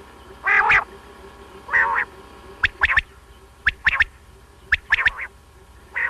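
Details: Batair, a quail, calling in a recording for morning and night hunting: three rough, nasal rasping bursts, with quick sharp notes in pairs and threes between them.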